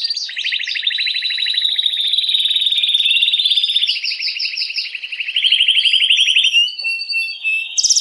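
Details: Canary singing to excite hens for breeding, a continuous high rolling trill that shifts pitch several times, with a higher buzzy section midway and a brief break near the end before the song resumes.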